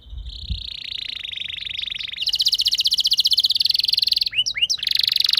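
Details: Canary song played to set other canaries singing: a sustained high rolling trill that shifts into a faster, louder pulsed roll, broken briefly by two sharp rising notes before the trill resumes.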